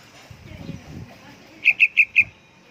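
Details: Calling actively, a young yellow-vented bulbul gives a single rapid run of four loud, bright, high chip notes after a soft low rumble.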